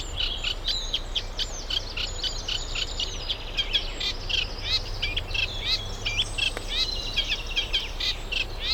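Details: Eurasian reed warbler singing in spring at a UK nature reserve, a summer visitor from Africa pairing up and nest building; a long run of chattering, scratchy notes and clicks repeated at a steady pace, with low background rumble.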